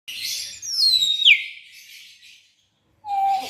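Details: Hill myna giving loud, clear whistles: a high note sliding down into a sharp falling sweep, set against harsh, hissing, buzzy bursts. After a short pause comes a steady lower whistle.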